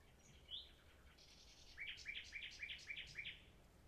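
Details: Common nightingale song: a thin whistled note, then a rapid series of about eight similar chirping notes repeated evenly, several per second, against faint low background hum.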